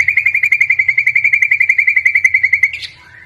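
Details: Singing white-rumped shama, used to prompt other birds to sing. A rapid high trill of even, sharply repeated notes lasts nearly three seconds, ends in a brief harsh flourish and a lower whistle, over a faint low hum.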